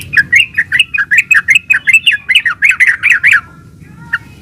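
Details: Yellow-vented bulbul in energetic gacor ulpik ropel song, used to coax other bulbuls into answering; about seventeen rapid, evenly spaced warbled chirps for three and a half seconds, then one final note.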